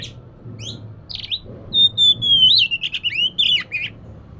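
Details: Oriental magpie-robin song meant to lure an idle bird into singing: a long sustained high whistle that wavers and slides down, broken into quick rich warbled notes, with brief buzzy fragments and a low background hum.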